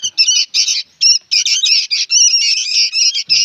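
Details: Noisy young sooty-headed bulbuls giving harsh, buzzy chattering calls in dense, overlapping bursts with almost no pause, a continuous loud racket of rasping notes.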